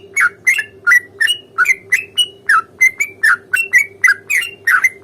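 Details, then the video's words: Sooty-headed bulbul fighting song, a long rapid-fire style used as a lure to make other bulbuls sing and answer: short bright chirped notes, some rising and some falling, repeated about three per second over a steady low hum. "trucukan gacor tarung ROPEL PANJANG pancingan trucukan agar bunyi JADIKAN burung trucuk GACOR nyaut"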